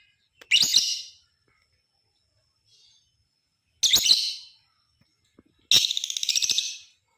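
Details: Lovebird ngekek chatter used as a lure to set other lovebirds singing. Three separate harsh, shrill bursts spaced a few seconds apart, the last longer and rapidly pulsed, with quiet gaps in between.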